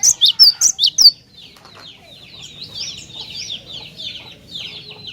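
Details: Cinereous tit singing hard, its song used to lure other tits: six loud, sharp, high notes in quick succession, then a steady stream of softer high twittering.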